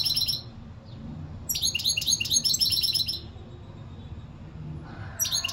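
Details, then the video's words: High, rapid twittering from a European goldfinch comes in bursts of over a second, chirps tightly repeated with a metallic, buzzy sparkle, separated by short silences. "اقوا واجمل تغريد حسون"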